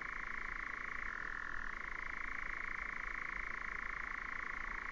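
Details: Continuous fast churring of a nightjar, recorded in 2019, a dry purring trill that dips briefly to a lower pitch and then resumes its higher tone for the rest of the recording.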